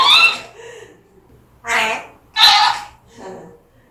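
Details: A pet African grey parrot, apparently angered by a spotted-calf figure, gives four harsh, raspy, agitated speech-like bursts in about four seconds, over a faint low indoor hum.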